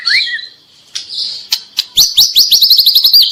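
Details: White-rumped shama, a fledgling-age bird, giving a few whistled notes and sharp clicks, then a quick series of repeated high upswept chip notes.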